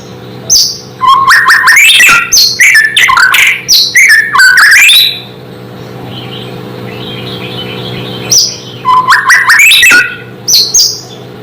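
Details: White-rumped shama singing loudly, said to provoke other shamas into agitation: two bursts of dense, varied whistles, sharp chips and rapid trills separated by a pause, over a steady low electrical hum.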